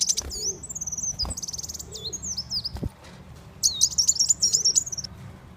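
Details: Sunbird call played to lure and catch birds: thin, high whistled notes with wavering slurs, a short pause, then a fast burst of sharp twittering chirps, with occasional clicks and a low background hum.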